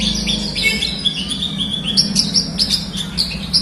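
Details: Vigorous song of a Horsfield's bush lark, played as therapy to coax reluctant birds to sing: rapid high chirps, trills and short whistled notes, with a steady low hum beneath.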